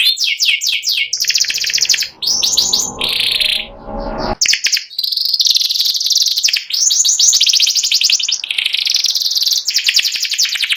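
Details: White panda canary, symmetrically marked, singing ngeriwik style: bursts of quick high trills alternating with buzzy sustained notes, one brief rustling gap, then continuous rolling twitters.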